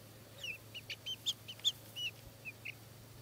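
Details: Buff Orpington chicks, one month old, making a scattered series of high, thin peeps and short chirps over a constant low electrical hum.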